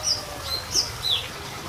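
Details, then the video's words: Close, high descending whistled notes from a small minivet lure recording, four short slurred calls within under two seconds. "pancingan untuk siri siri kecil"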